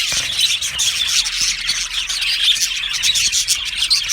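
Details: Happy budgerigars in an aviary colony, chirping together as a dense, continuous chorus of high, bright twitters and short whistled notes, with many birds overlapping throughout.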